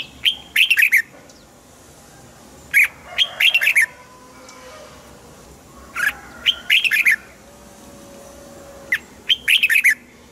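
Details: Red-whiskered bulbul in a cage, song aimed at exciting fellow caged birds: four cheerful warbled phrases roughly every three seconds, each opening with a crisp note and tumbling into several quick liquid whistles, with faint background tones.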